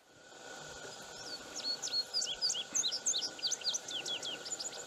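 An Indigo bunting sings a rapid run of high, sharp notes, many in pairs, sweeping up and down over a steady insect drone and soft background rush.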